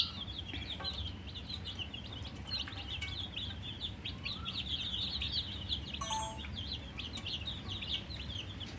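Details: Many coloured baby chickens (murgi chicks) chirping from thirst for drinking water: a dense, overlapping chorus of short high peeps, continuous throughout, over a steady low rumble with a few brief clicks.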